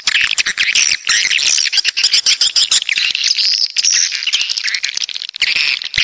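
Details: Coastal swiftlets from the south giving thick overlapping chirps, squeals and thin trills, over a stream of sharp clicking ticks.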